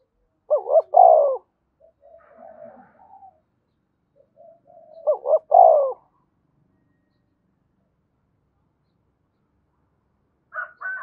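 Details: Spotted dove giving Đồng Nai-style calling coos to lure wild doves; two low three-part phrases about four and a half seconds apart with soft murmured notes between, and a higher faint call at the close.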